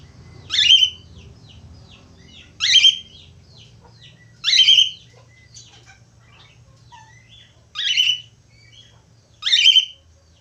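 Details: Budgerigar: loud, harsh chevron-shaped calls repeated about every two seconds, with faint soft chirps and twitters between them over a low background hum.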